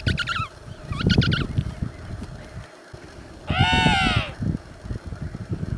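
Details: Adult emperor penguins in a noisy Antarctic colony: two quick, pulsing bursts of harmonic calling, a pause, then one long, powerful, deep trumpet-like blast, all over gusty low wind rumble.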